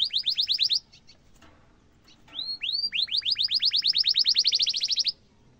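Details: Canary song used as tutoring for young and adult canaries: a quick trill of rising notes, a brief pause, then two slurred whistles leading into a long, steady roll of rapid repeated rising notes.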